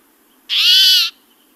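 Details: A Spotted Towhee call, not song: a single harsh, buzzy, cat-like mew lasting just over half a second, with a cranky, grumbling tone.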